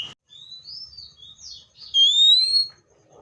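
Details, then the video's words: Seychelles magpie-robin giving soft thin whistles, then a loud, pure, steadily rising whistle lasting about half a second. "COPSYCHUS SECHELLARUM BIRDS SOUNDS LIKE IN NATURE LOUD CLEAR SOUNDS"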